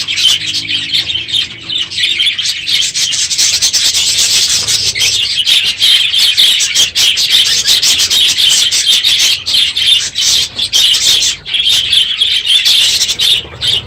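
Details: Many budgerigars in an aviary at the end of the breeding season, noisy in the morning; steady dense chirping and squeaky chatter throughout, with rapid overlapping notes and short dips.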